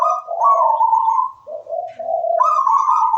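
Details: Local wild-type zebra dove (perkutut) singing in full voice: a melodious cooing phrase of gently warbling notes that step down in pitch, pause briefly, then rise back to a higher sustained coo.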